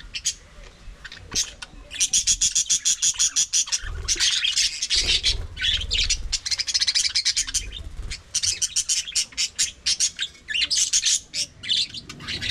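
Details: Several budgerigars chattering while eating: a dense, continuous stream of high, scratchy warbles and rapid chirps, broken by brief pauses, with faint low rustling beneath.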